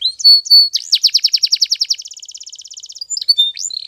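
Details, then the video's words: A Spanish Timbrado canary's morning training song: a couple of whistles, then a long fast trill of downslurred notes that changes into a finer, quicker rattle, and closing whistled slurs. "The Best Canary Training Song In The Morning !! Make Your Canary Singing Again"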